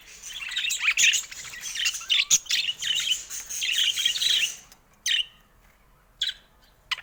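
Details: Caged budgerigars at a camera warble continuously for about four seconds, then fall quiet apart from a few isolated clicks.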